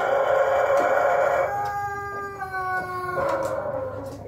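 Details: Pelung chicken crowing while being sought out: a long, drawn, tonal crow held steady for over a second, then stepping through several sustained harmonic notes before trailing off, with a second rise near the end.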